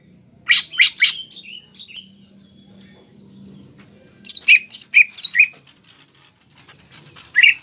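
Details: Greater green leafbird singing to provoke rivals: an opening flurry of sharp chips and slurred whistles, a soft warbling interlude, then a loud series of strong downslurred whistles; low steady hum underneath.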